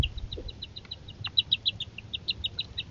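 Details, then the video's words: Northern harrier family at feeding time with young birds: a fast, steady stream of high, short piping notes, about six or seven per second, with a faint low rumble beneath. "Sky Dancers: A Northern Harrier Family Adventure: Dinner Time"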